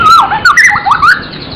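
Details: Brief magpie-robin phrase in gacor isian style, a few loud wavering whistles that swoop down and up in quick succession.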